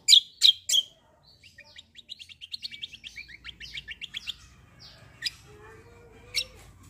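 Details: Black-winged myna in rolling fighting song: three loud sharp chirps open, then a fast rolling trill of quick high notes running about two seconds, followed by sparse chirps and a faint low whistle.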